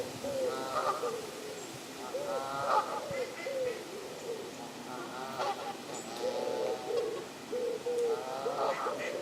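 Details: Canada geese, wild birds on the South Pond at Midhurst, West Sussex, England, trading loud harsh honks in bursts, with rasping, buzzy notes between groups of lower calls.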